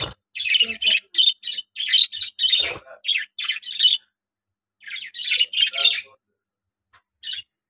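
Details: A new pair of lovebirds after summer, calling with rapid, harsh, high chirps repeated in a dense run of about a dozen bursts over four seconds, a short pause, then another cluster and one final chirp, indoors.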